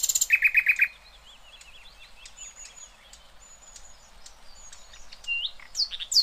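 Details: A grey-headed canary-flycatcher delivers a rough tutoring song. It opens with a rapid loud series of repeated chirps, then quieter thin whistles and twittering notes, ending with sharp rising calls.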